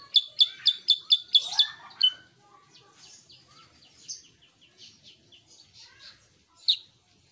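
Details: Sooty-headed bulbul singing vigorously: a fast burst of six or seven bright, evenly spaced high chirps, then a looser run of thin twittering and warbled notes, ending with one sharp accented chirp.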